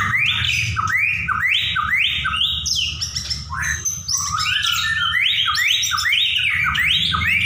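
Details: White-rumped shama pouring out song: repeated rising whistled swoops roughly twice a second, interspersed with dense high chattering and mimic-like phrases, low steady hum beneath.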